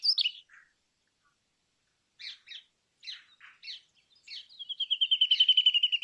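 Brown rock chat giving short, scratchy chirped notes in clusters, then a fast, even, high trill running steadily for over a second.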